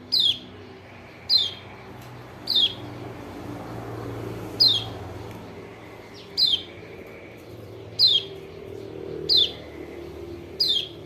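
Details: Kecial kuning white-eye from Lombok giving a lure call meant to stir a silent bird to answer: eight short, high, downslurred chips repeated roughly every one to two seconds against a soft background rumble.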